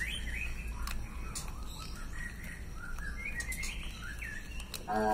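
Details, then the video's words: Male straw-headed bulbul (cucak rowo) singing loudly, a stream of slurred, liquid whistled phrases that rise and fall and run continuously, over a low steady hum and faint insect-like background noise. "Sura Burung Cucak Rowo Jantan GACOR Suara Lantang"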